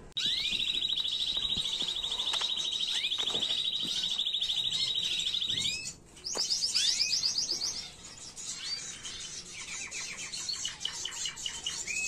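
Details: Canary tutor song, presented as error-free original singing for teaching young birds, recorded 2022: a long even trill held for over five seconds, then a brief pause and varied rising whistles and faster rattling rolls.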